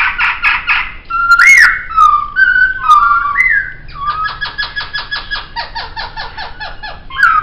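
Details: Laughingthrush song for training caged songbirds. Buzzy repeated notes open the phrase, then varied slurred whistles rise and fall, and a long stretch of rapid, evenly spaced chattering notes follows.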